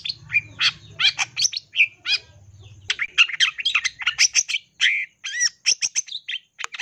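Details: Long-tailed shrike singing nonstop "full isian" song, a lure to set other shrikes singing: a dense, jumbled stream of harsh squawks, sharp chips and short whistles, a low hum early on.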